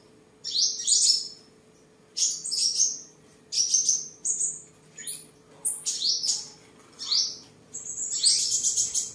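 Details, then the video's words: Tame sunbird, Tân Phú district, Đồng Nai, Vietnam, 23 July 2022, singing while displaying and sparring: clipped, very high squeaky phrases spaced by short silences, closing in a longer buzzy trill. "Chim Hút Mật 7 Màu Thuần Ngày 23/7/2022 Hót, Múa, Đấu Đá"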